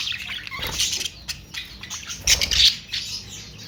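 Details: Budgerigar flock giving busy, irregular chirps and raspy squawks, several quick downward notes near the start, then louder bursts of warbling chatter.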